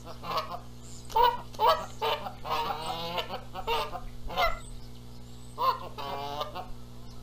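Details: Nesting Canada geese and a noisy arriving gander in Charlo, Montana, arguing over who sits on the eggs; fast, overlapping bursts of harsh honks and long grating calls, several birds calling.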